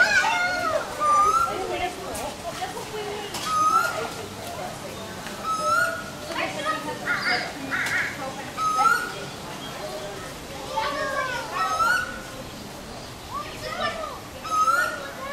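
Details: Wild swamphens nesting in a turtle exhibit in Queensland, Australia, in November 2021, with two chicks: a short, rising whistled peep repeats every two to three seconds, over a busy chorus of higher chirps from other birds.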